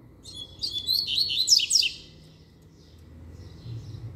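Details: Double-collared seedeater song, sung firmly: a dense, rapid stream of high chirps and steep slurred notes for about a second and a half, then fading to faint distant twitters over a low hum.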